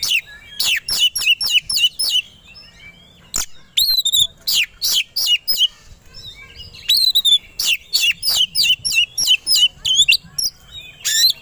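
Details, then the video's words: Competition white-rumped shama goaded to sing aggressively and ready to fight: long sequences of loud sharp chirps and sweeping whistles in rapid bursts separated by short gaps. "Pancingan Kacer Agar Cepat Emosi Gacor 3 || Super Gacor Langsung Tarung"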